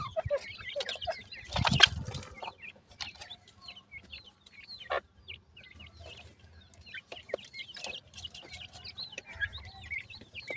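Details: Several francolin chicks in summer call with thin, high, short peeps, scattered and overlapping, some in quick pairs, among sharp clicks, pecking taps and a brief rustling burst near the start.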